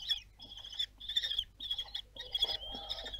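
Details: Théding kestrels, France, on 26 June 2022 as the young fledge: four to five ringing, slightly grating calls of even pitch, each under half a second, followed by a longer wavering note with light scuffling.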